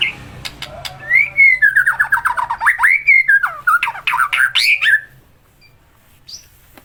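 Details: White-rumped shama with a hoarse voice, singing a run of rapid slurred whistled notes around two seconds in, descending and rising in quick succession, then a short trailing note; faint room hum underneath.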